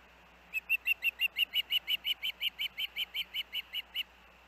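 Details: Osprey siblings at the Hellgate nest, 23 August 2024, after a day of dangerous winds: a steady series of about eighteen sharp, high whistled chirps, roughly three a second, over a low constant hum.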